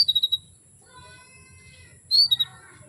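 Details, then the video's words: Female canary calling to stir males into breeding condition: a quick burst of five sharp, high chirps, a pause, then a bright upslurred note followed by a few more clipped chirps, with a steady faint high hiss behind. "PANCINGAN KENARI BETINA MEMANGGIL JANTAN"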